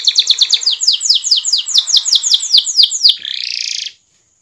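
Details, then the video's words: Canary song used as a lure to speed up other canaries' rolling and singing: about fifteen loud, rapidly repeated down-slurred high notes, then a brief rasping buzzy trill before it stops. "suara pancingan kenari"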